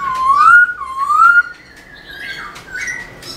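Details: Black-throated laughingthrush singing while dancing its tail, recorded to stir caged birds into song: two loud, rising slurred whistles, then softer, higher warbled notes fading toward the end.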